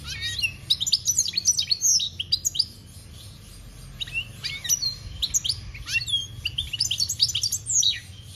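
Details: Goldfinch song, European species, a long animated stream of high twittering, buzzy slurs and chirps in several bursts with short pauses, over a faint high hiss.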